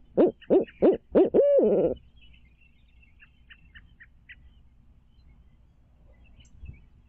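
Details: At a Midtown Tulsa nest watched by a stream camera in 2019, a barred owl gives four rapid hoots ending in a long, wavering drawn-out hoot. Then several seconds of near silence follow.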